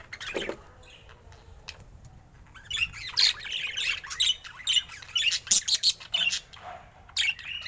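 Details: Pet budgerigar, described as looking happy, starting after a quiet pause with a run of short, scratchy chirps and squeaks in quick, irregular bursts.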